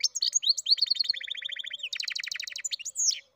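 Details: Goldfinch-canary mule singing, with opening chirps leading into evenly pulsed rolling trills, a faster buzzy trill, then a drawn-out upward whistle to finish.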